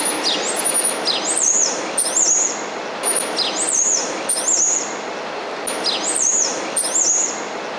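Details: Common starling at Station Bijlmer on 17 January 2015 calling: high, thin whistles, some rising and some sliding down, repeated in quick bursts over a steady hiss of background noise.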